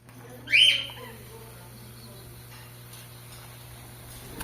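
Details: Captive rose-ringed parakeet of the opaline clear mutation, kept in Ceará, Brazil: one short harsh screech rising and falling, then a quiet room hum.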